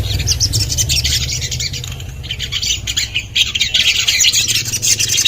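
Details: Common iora therapy recording meant to get other ioras singing: a dense, continuous stream of high, squeaky chirps and chatter with no pause, over a steady low hum.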